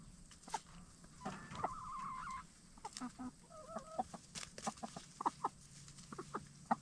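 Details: Black Star and Bielefelder hens settling in for the night in a movable chicken tractor after free-ranging by day. Soft, scattered clucks and a brief drawn-out croon are heard over steady background hiss, with pecking and scratching ticks.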